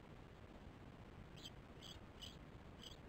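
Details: Nest-camera recording of osprey chicks, 13 July 2015, 08:10: after a quiet second, four piercing high chirps follow about half a second apart against a low rumbling hiss.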